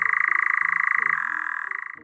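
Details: European nightjar (Caprimulgus europaeus) churring: a fast, dry, mechanical trill of rapid pulses that runs on steadily, dipping slightly in pitch partway through, with faint low tones underneath; the churr is thought to inspire the "jar" in its name.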